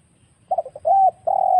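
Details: Wild spotted dove lure call for trapping: brief stuttered notes then a sustained mellow coo and the start of another, low-pitched and smooth, with a faint rumbling background.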